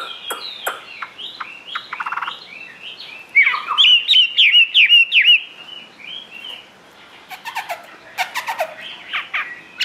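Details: Caged Chinese hwamei: scattered clicks and short notes, a loud burst of rapid rhythmic whistled phrases, then sharp ticking clicks and softer twittering toward the end.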